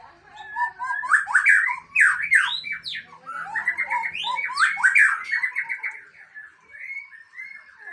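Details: Murai Aceh, the white-rumped shama, pours out a dense varied song of quick upslurred and downslurred whistles, chatters and squeaky notes, easing into softer sustained whistles at the end.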